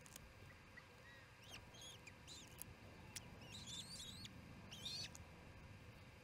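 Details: Osprey at a nest in Charlo during the second evening feeding, June 18, 2018, around 7 pm MDT; short, high, chirping whistled calls, sparse at first and then clustered in quick bursts near the end, over a steady electrical hum.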